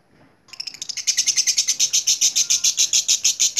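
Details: Lovebird starting its ngekek chatter: a few soft notes build within half a second into a loud, fast, regular string of shrill buzzy pulses that keeps going steadily.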